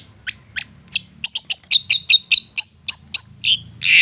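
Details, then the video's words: Insistent long-tailed shrike singing as a provocation for other shrikes: a steady series of about fourteen sharp, high chip notes that speeds up, then ends in a harsh rasp. "Apapun Cendet nya AKAN LANGSUNG MERESPON dan NYAUT lanjut GACOR dengan pancingan Cendet ngotot ini"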